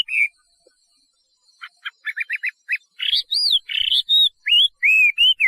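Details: Chinese hwamei: a single whistle, a quiet gap, rapid soft ticking notes, then loud arching and looping whistled phrases.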